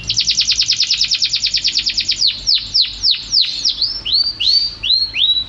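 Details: Champion canary starting with a rapid trill of high notes that slows into longer swooping downslurs and upslurred whistles.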